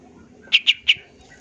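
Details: Long-tailed shrike song, champion-style full-fill recording for tutoring songbirds: three quick high chirps in a row, each bright and sharp, then a faint thin note and quiet.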